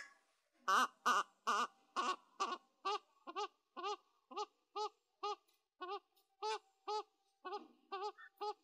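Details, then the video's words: Bird calling with a series of nasal, honking notes, about two per second, each with a steady layered tone, continuing for several seconds in quiet surroundings. "অক পাখির ডাক"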